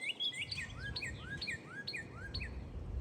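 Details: Red bird chirping in cold wind: a steady run of bright, slurred chirps, roughly two per second, each sweeping down then up, over a constant low rumble of wind.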